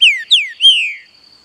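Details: Green-winged saltator, a kept captive bird, singing a quick phrase of three loud slurred whistles. Each note falls from high to lower pitch within about a second, the last note longer and smoother, over a faint steady high electrical tone.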